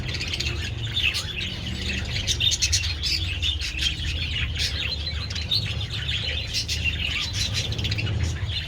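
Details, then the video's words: Sun-warmed budgerigars eating treats on 27 February keep up an unbroken mass of scratchy chirps and warbles, with constant low rumble underneath. "Adorable budgies enjoying treats in the sun"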